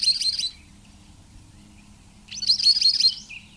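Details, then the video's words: Scimitar-billed woodcreeper (Drymornis bridgesii) song: two bursts of high, rapid, chattering notes, the second longer and more ringing, over a faint low hum. "Canto del Trepatroncos Chinchero"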